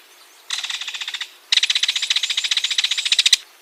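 A Ringed kingfisher gives two dry, harsh rattles: a short one, then a longer one of rapid clicking notes, close to twenty a second.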